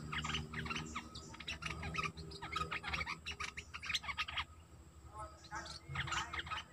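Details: Sooty-headed bulbul singing energetically during decoy calling of wild birds, recorded 29 August 2021: dense run of rapid, bubbling chirps and short warbled phrases, almost continuous for several seconds, then pausing before a few more notes over a low background hum.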